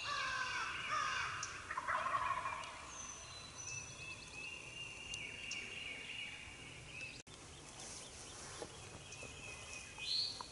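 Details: Eastern wild turkey gobblers in Mississippi gobble in quick, rattling bursts at dawn during a hunt, one early and another near the end, over a busy dawn chorus of whistling and chirping songbirds.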